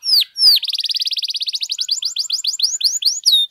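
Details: Canary singing a long song meant for tutoring and stimulating other canaries: two sharp falling whistles, then a very fast even trill of short high notes shifting into quicker rising-falling slurred sweeps.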